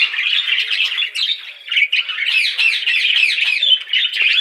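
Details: Budgerigars chirp and chatter in a dense, continuous warble of squeaky, buzzy notes and rapid twittering, several short phrases running together with brief pauses, with no other sounds.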